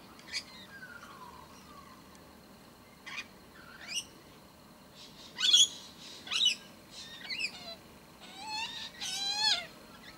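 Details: A young Australian magpie, heard nearby for weeks and now brought by adult minders to a wild-bird feeding spot, begs with scratchy squeaks, falling whistles and harsh, raspy bursts at uneven intervals, louder and busier toward the end.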